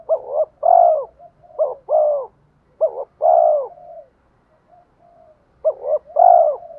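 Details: Spotted dove used as a decoy bird, calling to lure and provoke rival males; phrases of two short rising coos and one longer, louder coo, repeated about every two seconds with brief pauses, clean background.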